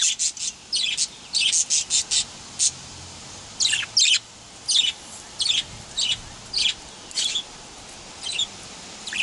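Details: Male budgerigar chirping busily: bright, high, clipped notes in rapid runs, several packed close together, then spaced roughly every half second, against low background hiss.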